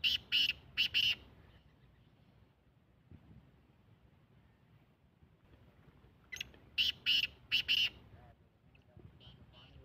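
A black francolin gives a harsh, grating phrase of four or five rasping notes, then repeats it about six seconds later, with a quiet background between.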